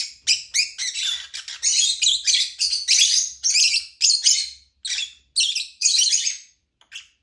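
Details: Lovebird chirping almost continuously, a fast run of shrill, buzzy chirps several per second that breaks into spaced notes toward the end.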